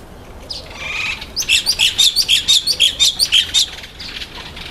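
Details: Red-winged starling eating an apple, with a loud run of about fifteen quick, high chirps repeated at a steady, fast pace for around two seconds, then trailing off.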